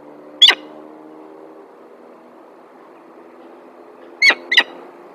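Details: Female peregrine falcon at a nest in Alphen aan den Rijn, Netherlands, 9 December 2022. One harsh, squealing call is followed after a long pause by two more in quick succession, over a steady low hum.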